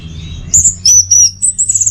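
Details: Brief burst of orange-headed thrush song, used to train and trigger teler singing: high, thin sustained whistles joined into a continuous slurred phrase ending in quick stuttered notes.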